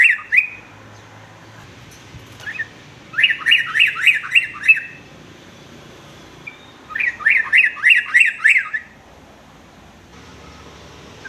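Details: Sooty-headed bulbul singing, a recording meant as tutor song for young males: two separate bursts of about six fast, bubbly, slurred chirps each, with a short opening call and quiet gaps between.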